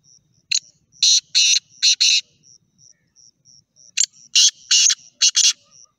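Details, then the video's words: Black francolin giving harsh, grating, rasping notes in two bursts of three to four, with thin high piping notes repeated steadily between them. "Sound Effect - Black Partridges"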